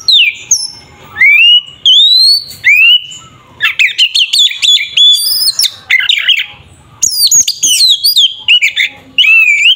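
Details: Oriental magpie-robin (kacer) fighting song used to rouse a rival bird: rising whistled notes at first, then a dense rapid stream of varied chirps, trills and sharp clicks.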